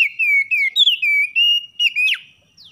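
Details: Oriental magpie-robin singing in the morning, a recording meant to rouse a lazy caged bird: a steady series of sweet, downward-gliding whistles ending in a sharp upswept note and a faint final whistle.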